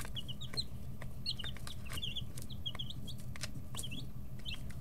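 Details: Brooder chicks 11–13 days old, pecking and stretching feathers, call with short high peeps, some rising, some falling, in loose groups of two or three, among sharp clicks and a constant low hum.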